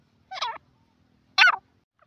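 A francolin gives two loud, harsh, grating notes about a second apart, each rasping and cut short, against a quiet background.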